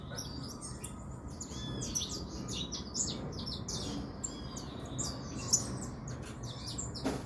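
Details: Spirited saffron finch singing quick high chirps and buzzy twitters in loose bursts, with a sharp click near the end and a continuous hiss and hum in the background.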